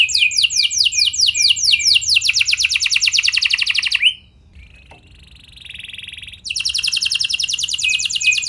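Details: Lure song of a canary to make others sing: fast repeated upswept whistles accelerating into a rolling trill, a pause with a quiet even tone, then the rapid trill returning strongly.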